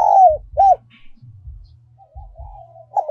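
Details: Spotted dove decoy song, giọng còi style, also named giọng kim. Opens with a long sliding coo and a short arched coo, followed by soft faint cooing over low knocking thuds.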